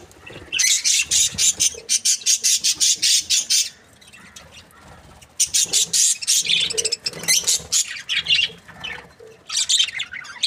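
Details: Breeding pair of budgerigars, called happy, producing rapid rhythmic clicking chatter in two long runs separated by a quiet gap, then a final short burst.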